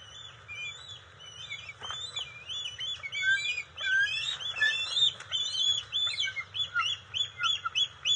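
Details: Bald eagle family at the NCTC nest on June 27, 2021, during a fish delivery to the eaglets; a tumbling series of high whistled and squealing notes grows louder and quicker, ending in regular pulsed calls.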